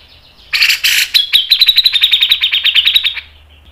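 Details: Cucak jenggot, the Grey-cheeked bulbul, delivers a fast, closely spaced song: two raspy blasts followed by a long, evenly pulsed trill of bright, high notes that fades out after about three seconds.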